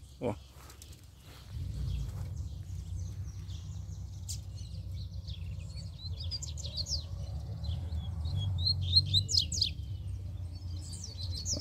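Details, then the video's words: Wild double-collared seedeater singing a fast stream of high, sharp chipping and slurred notes that grows busier toward the end, over steady low rumbling background noise. "COLEIRO SOLTO FORTE CHEGOU PICANDO CANTO!!!"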